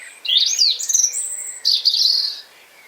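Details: Robust breeding song of a European robin in a Hampshire, UK garden during 2020: two rich bursts of high, warbling, fast-changing phrases with sliding whistles and trills, separated by a brief pause.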